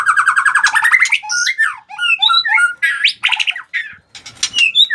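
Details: White-rumped shama singing in challenge to fight: a rapid rising run of notes, then varied whistles, slurs and harsh bursts broken by short pauses.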